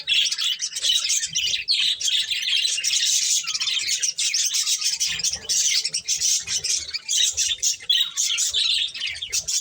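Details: Budgerigars kept as pets, busy eating corn, fill the air with unbroken high-pitched twittering and buzzy warbled phrases from several birds at once.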